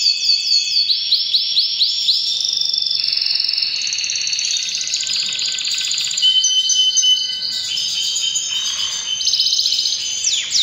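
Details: Canary in breeding season delivering a long, powerful song of fast sweeping note series, rolling trills and held high whistles, shifting phrases every second or two with no pause.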